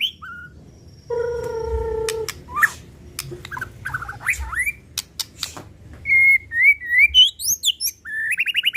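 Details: White-rumped shama in 'pastol' lure style: a steady tone and scattered clicks at first, then sharp sliding whistles and a fast rising trill near the end.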